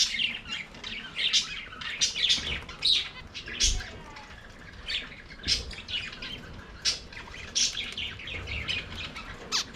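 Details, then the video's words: Budgerigars singing and playing in their aviary: a dense, continuous warble of quick, high chirps and scratchy twitters from several birds, with bursts every half second and some low thumps of movement. "Budgies singing and playing in their Aviary"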